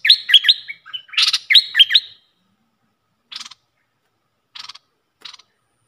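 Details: Red-whiskered bulbul kept in a cage as a luring decoy, giving two quick bursts of lively warbled, up-and-down notes. Three short, scratchy single notes follow at spaced intervals after a pause.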